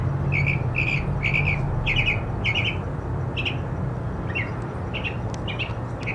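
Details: Mockingbird repeating a harsh, buzzy note roughly every half second for several rounds before changing to other brief phrases; low continuous rumble beneath the song.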